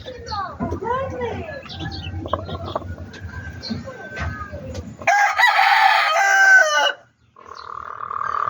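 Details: Chicken in a backyard poultry flock; mixed low clucks and muffled calls, then a loud, harsh, drawn-out crow lasting about two seconds before cutting off, followed by a steady tonal hum.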